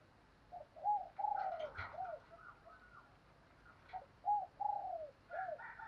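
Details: Female spotted dove calling as a decoy for males: two phrases of soft looping coos about three seconds apart, over steady background hiss with scattered higher chirps from other birds.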